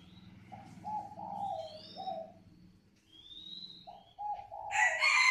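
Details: Calling coo of a spotted dove, a low mellow three-part phrase repeated twice, each with a drawn-out wavering middle note, with a soft low hum beneath, high thin whistles from another bird, and a loud rustling burst at the end.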